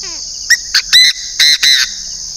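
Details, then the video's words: Chinese francolin kept as a decoy bird from northern Vietnam giving a loud, harsh call phrase of five notes, two short clipped notes then three longer ringing ones, in about 1.3 seconds, over a steady high insect drone. "Đa Đa mồi miền bắc"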